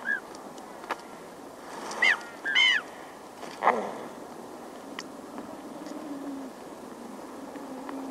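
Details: Small Magellanic penguin (Spheniscus magellanicus) chick gives thin arched begging cries close up, a few close together, then an adult hisses sharply and aggressively, with the colony murmuring in the distance.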